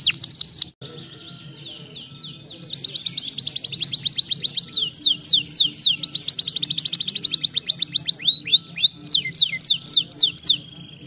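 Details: Canary singing, played to stimulate lazy canaries to sing: loud, fast, rolling trills of repeated high downward-sweeping notes, changing speed and pitch in phrases, with a steady low hum underneath.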